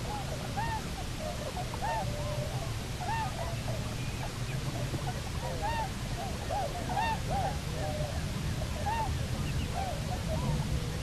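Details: Bermuda petrel pair newly returned to Nonsuch Island nesting grounds, 29 October 2018: a busy run of repeated arched, wailing notes, bunched between four and eight seconds, with a steady low roar of wind and surf underneath.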